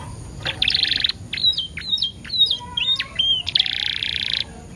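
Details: Canary lure song with 10-second pauses, used to prompt other canaries to sing: a buzzy trill opens, short slurred whistles follow, a thin rising whistle runs underneath, and another dense buzzy trill closes the phrase.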